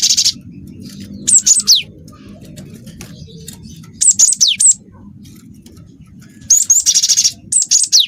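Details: Cinereous tit (glatik watu) song full of canary phrases: a buzzy trill, then groups of high sliding whistles, ending in a long rattling canary-like trill with more sweeping notes; low hum throughout.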